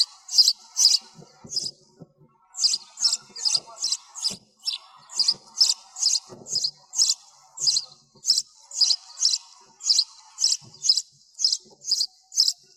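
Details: Long noise-reduced run of sparrow chirps, about twenty-five sharp high cheeps roughly twice a second, broken by a short gap near the start, with soft low clicks.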